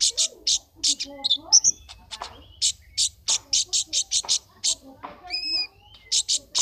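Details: Competition song of a caged brown-throated sunbird, Temanggung, June 2020: fast bursts of high, harsh chirping notes with a few brief whistled phrases and short gaps between clusters.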